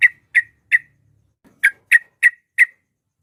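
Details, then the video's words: Sooty-headed bulbul in full voice, used to provoke rivals into answering: three sharp, clipped chirps, a short pause, then four more evenly spaced notes, quiet background. "trucuk gacor ampuh memancing lawan nyaut emosi, trucuk ropel, trucuk nggaruda, suara ber fariasi"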